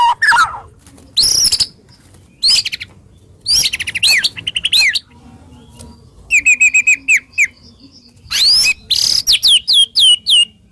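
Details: Full harsh, sharp 'tembakan' song from a white-rumped shama, used to rouse shamas that stopped singing: scratchy bursts, runs of upswept whistles, a string of evenly repeated bright chirps, and high falling whistled notes.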